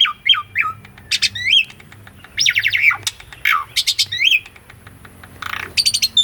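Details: Asian pied starling song recorded for training a caged starling; rapid chirps, buzzy rattles and upswept whistles in bursts, then a harsh noisy note and high whistles, with faint hum behind.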